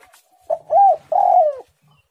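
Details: Spotted dove singing actively with a tight, pressing voice: a single phrase of a short coo, an arched coo and a long, slightly falling drawn-out coo, soft and mellow, in about one second.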